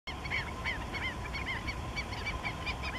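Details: Four Black-necked Stilts in courtship display in a salt pond in southern Honduras, 29 April 2013: sharp, nasal yapping notes, several a second and overlapping, over a low steady rumble of wind.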